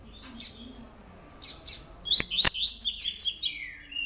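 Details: Double-collared seedeaters of a colour mutation: a few high separated chirps, then a fast, loud, scratchy warbling phrase of rising and falling slurred notes, with two sharp clicks mid-phrase and a falling whistle at the close.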